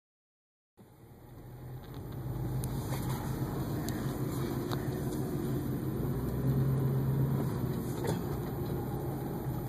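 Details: Steady engine rumble with a low hum and scattered clicks, starting after a short silence; no animal calls stand out.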